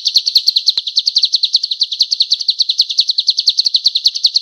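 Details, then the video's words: A male golden-bellied gerygone in full, vigorous song, used as a training song for other birds: a fast, unbroken run of thin, high twittering notes at a steady, rapid pace, with no other sounds. "SUARA BURUNG CIU KUNYIT JANTAN GACOR"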